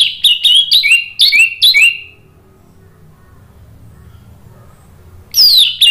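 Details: Orange-headed thrush song used in Indonesia as a lure to prompt silent birds to answer and sing: five rapid bright whistled phrases with sliding notes in two seconds, a quiet pause, then a loud descending whistle.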